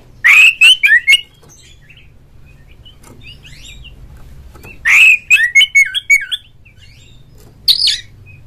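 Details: Oriental magpie-robin singing ngeplong, ngobra, gacor, a song meant to get other magpie-robins singing: two loud bursts of rich, rapid whistles and chirps about four seconds apart, faint scattered notes between, and a final short call.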